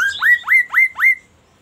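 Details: Magpie-robin delivering four loud, clear upward-sweeping whistles, evenly spaced about a quarter second apart, then silence.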